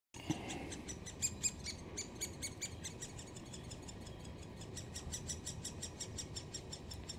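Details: Great spotted woodpecker (Dendrocopos major) chicks at the nest, fed by mother then father, keep up a fast, high, scratchy encouraging chatter of about five notes a second, over a steady low rumble; recorded 26 May 2018, Solleveld.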